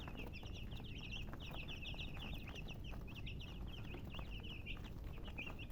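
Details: A constant chorus of high, short chick peeps, rapid and overlapping, running the whole time over a low background rumble.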